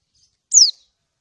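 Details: Single sharp, descending 'ciak' note from a female lemon-bellied white-eye on Lombok calling a male, used as a lure to get other birds singing; a very faint high twitter just before it.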